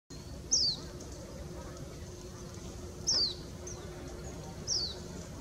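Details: Oriental greenfinch (Chloris sinica) recorded 12 January 2017, giving three brief, high, downslurred call notes a few seconds apart over a steady low background rumble.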